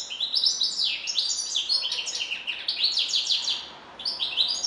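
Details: European goldfinch in continuous song: fast, jangling twitters and rippling rising-and-falling trills with hardly a break, one brief dip before the bird resumes.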